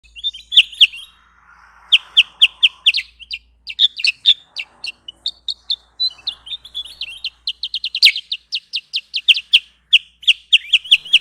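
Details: Sooty-headed bulbul (kutilang sutra) lure song used for trapping: bursts of sharp, high chirps, then a long run of quick repeated notes with brief pauses. A soft hiss is heard early on.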